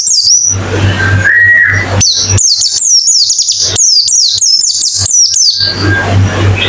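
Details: White-eye song used as therapy to get a bird singing fast with open beak: thin, high descending whistled notes in quick series, one lower drawn-out whistle near the start, over a steady low hum.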